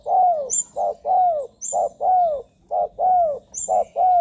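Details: Spotted dove calling, used to attract wild doves for ground, branch or trap-cage decoying; loud, steady low coos in pairs of a short note and a longer falling one, about one per second, with thin high chirps in the background.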